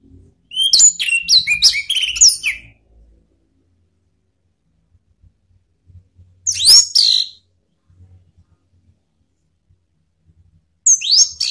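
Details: Orange-headed thrush call used as a lure to provoke rivals, given as rapid, high whistled phrases with sweeping notes in three bursts. The first lasts about two seconds, and the bursts are separated by silence.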